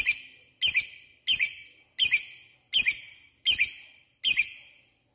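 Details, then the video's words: Lovebird calling to lure rivals into answering: seven sharp, shrill double chirps, each followed by a fading ring, spaced about two-thirds of a second apart, with silence in between. "Pancingan lovebird mudah di respon lawan memanggil lawan ngeekek"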